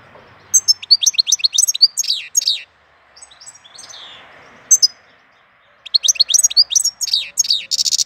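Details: A European goldfinch sings in April: bright, rapid, tinkling twitters in two bursts separated by a short pause, ending with a harsh, buzzy note.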